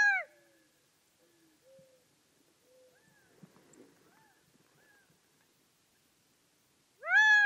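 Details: Gambel's quail producing soft, low, slurred notes and faint chatter over several seconds, framed by two loud, arched, nasal calls at the very start and end.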